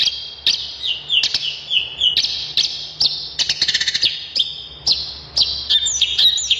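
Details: Vigorous long-tailed shrike song mixing rhythmic falling whistles, rapid clicking rattles and squeaky looping notes in a high, unbroken stream, with a brief buzzy burst near the middle.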